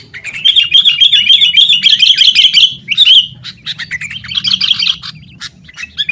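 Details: Sooty-headed bulbul in loud fighting chatter, used to prompt caged bulbuls to sing; a dense three-second stream of rapid chirps, then scattered sharp clicks and a shorter bubbling burst.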